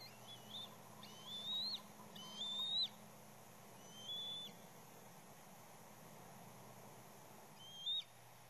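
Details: Chaos at a bald eagle nest as an extra juvenile keeps coming back: thin, high whistles, several rising sharply at the end, in a cluster of four early on and a lone note after a long pause, with steady hum behind.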